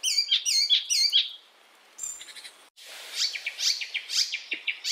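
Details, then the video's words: Icterine warbler, of European origin, sings a varied, rapid run of high whistles, buzzy notes and repeated chattering phrases, with a brief pause midway. "icterine werbler burung kapasan asli eropa"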